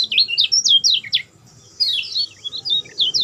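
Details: Lemon-bellied white-eye (kecial kuning) song used as a lure to get a mute bird singing: quick high zigzag chirps, a brief pause, then another burst of thin descending twitters.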